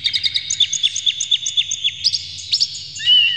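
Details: Oriental magpie-robin lure song with clear, rough material: a quick, regular series of short downslurred whistles over a sustained high tone, several per second, closing with a louder drawn-out whistle.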